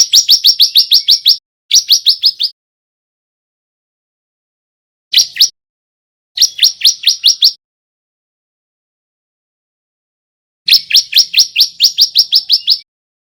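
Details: Male bar-winged prinia of the white-breasted type rehearsing song in repeated bursts of five to ten fast, shrill rising notes, separated by pauses of a second or more.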